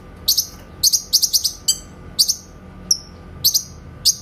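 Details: Grey-cheeked bulbul in a clear 'tembakan' rapid-fire style, a master recording for training songbirds such as the white-rumped shama: sharp high chirps in quick bursts of three to five notes with short slurred whistles between.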